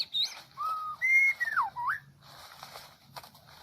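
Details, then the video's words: Loud whistled phrase from a Medan white-rumped shama used to lure birds into a trap: clear flat notes, then a swooping descending slur and an upturned whistle, followed by quieter clicks. "Pikat jebak jontrot murai medan lepasan"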